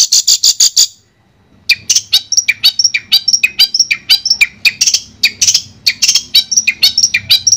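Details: Therapy recording of Long-tailed shrike song for a bird that stopped singing: a burst of harsh chatter, a brief pause, then a long lively run of mixed chips and high whistles.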